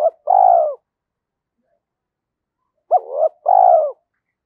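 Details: Spotted dove giving its challenging call, used to draw wild doves in quickly: two phrases of deep, rounded coos, a short hooked note then a long mellow descending coo, separated by a silent gap of about two seconds.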